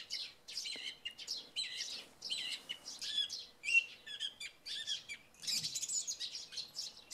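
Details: A song thrush sings bright, varied phrases, some repeated, in the early morning after a night of light rain, over a busy background of chirping sparrows.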